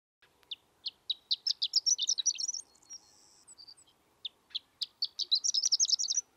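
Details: Horned lark (Eremophila alpestris) song: high, tinkling twittered phrases that speed up into a jumbled run, pause briefly, then start again; no other sounds.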